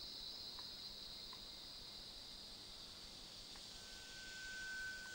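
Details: Rail-babbler at Krung Ching Waterfall, giving one long, thin, steady whistle that lasts about a second and a half near the end, with a constant high insect drone and rushing background hiss throughout.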